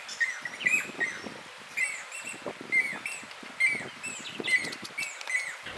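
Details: Southern masked weavers at a nesting colony in Mopani Rest Camp, Kruger National Park, November 2010, where a male builds a woven grass nest. Busy overlapping chatter of short buzzy notes, with bright squeaky accents recurring about once a second.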